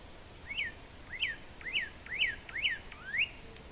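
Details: Northern cardinal, subspecies cardinalis cardinalis, greeting the dawn in Mexico during turkey-hunting season: a series of six bright whistled notes, each sweeping up then down, repeated evenly about every half second over a quiet background.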